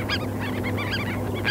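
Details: Terns on a sandspit at Murrell's Inlet, South Carolina, 8 April 2017, recorded with a parabolic microphone: many overlapping harsh, arched, harmonic calls in quick succession over a steady low hum.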